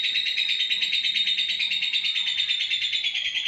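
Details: Fighter lovebird singing a ngekek panjang, a long continuous high trill with rapid even pulses, about three per second, held without a break throughout.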